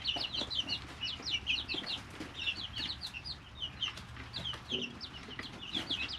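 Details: A group of three-week-old chicks kept in a brooder, living naturally; bright, high peeps in rapid clustered bursts, each note arching downward, with soft low hum and brief rustles behind.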